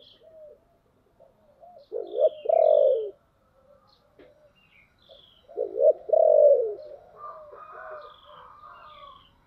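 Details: Spotted dove kept as a decoy to lure wild doves, singing in the dense 'thổ' voice style: two loud deep coo phrases several seconds apart, with soft higher chirps of other birds around them.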